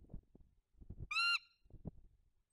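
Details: Bald eagle at its nest during incubation, November 2022, watched by live camera: one short, high, squeaky harmonic squeal between soft low thumps and rustling of nest material.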